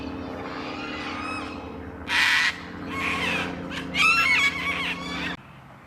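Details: Sulphur-crested Cockatoo in a suburban park with old River Red Gums, Adelaide, South Australia, its loud call echoing across the sky. Three harsh, raspy, broadband screeches in quick succession over a steady low hum.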